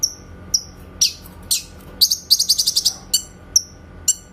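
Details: Grey-cheeked bulbul singing clear rapid-fire 'tembakan' notes as a training master for shamas: scattered high chirps and harsh buzzy notes, then a fast run of about eight ringing notes and more single chirps.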